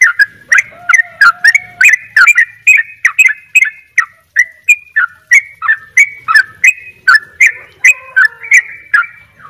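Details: Sooty-headed bulbul singing in the rapid double 'ropel' style: short whistled notes near the middle register, fired in a fast run of about three per second, each with a quick sliding inflection.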